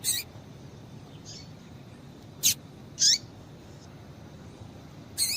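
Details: Double-collared seedeater female calling to stimulate a male: four sharp, high chips at irregular intervals, one with a falling tail, separated by quiet hiss and faint distant notes.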